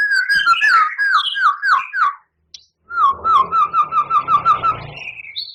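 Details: Singing white-rumped shama with harsh mimicked fill-ins: downslurred whistles repeated quickly, a brief pause, then a fast even series of about ten short clear notes above a low background hum.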